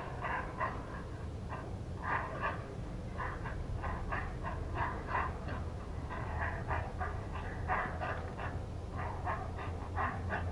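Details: Heron chicks at the nest begging as the parent returns to feed them: rapid harsh clacking calls repeated about three times a second, steady throughout, over a low rumbling background.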